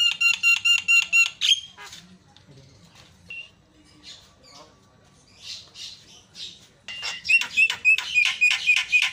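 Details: Javan myna used as a lure against rivals: rapid, evenly repeated rasping notes with a whistled overtone, a quiet stretch of scattered soft chatter, then another fast rhythmic burst of harsh notes.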